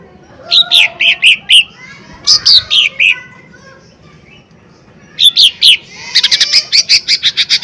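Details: Loud, high, clipped notes from a lesser green leafbird, used as a lure to make other leafbirds respond. Short bursts of whistled downslurs are separated by pauses, ending in a fast, even series of bright ticks.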